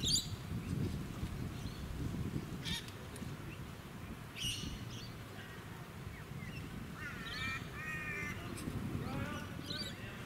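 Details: Blue-faced honeyeater in a suburban area of the Sunshine Coast, Queensland, in March 2018: a few short, harsh, rasping calls, then a quick run of stacked notes near the end, over heavy low wind rumble and suburban noise.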